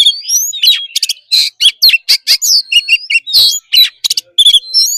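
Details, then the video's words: Oriental magpie-robin, caged, forest-style training song: rapid sequence of sharp chips, clear whistled slurs and harsh buzzy notes, loud and varied, roughly a note and a half each second. "Choè than hót giọng rừng.kích bồi hót căng"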